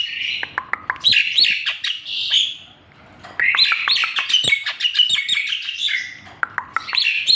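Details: Song of a Javan pied starling: loud mixed whistled notes, rising and falling slurs and scratchy chatter delivered in long rapid phrases separated by a brief lull.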